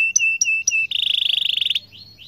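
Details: Atlantic canary in long rolling song used to set other canaries off; three sharp high chip notes, then a fast buzzy pulsed trill and faint thin whistles trailing away.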